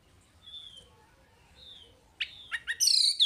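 A Chinese hwamei sings: two soft whistles, then three loud rising sweeping notes and a burst of bright, high, rapid warbling.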